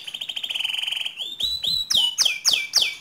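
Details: A pure white canary in full song opens with a fast, even trill, then shifts to a series of sharp downward-swooping notes and bright high chips spaced about a third of a second apart.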